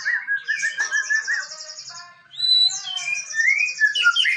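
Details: Male white-rumped shama from Indonesia's songbird hobby scene, delivering loud varied song: a rapid rolling trill, a brief pause, then sharp upslurred whistles and high buzzy chatter tumbling together.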